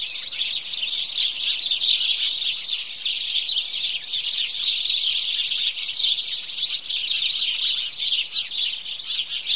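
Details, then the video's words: A morning chorus of house sparrows: many overlapping cheeps blend into a dense, unbroken wall of bright chirping, with no other sounds standing out. "Morning Chorus Of House Sparrow"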